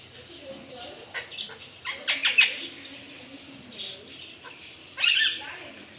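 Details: Alexandrine parakeet giving a series of harsh, raspy squawks in short clustered bursts, the loudest group near the middle and another sharp call near the end, over a quiet room background.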